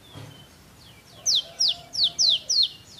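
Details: Olive-backed sunbird singing: after a faint low whistled note, five loud, high, sharply downslurred chirps repeated about every quarter second, each ringing and slightly buzzy.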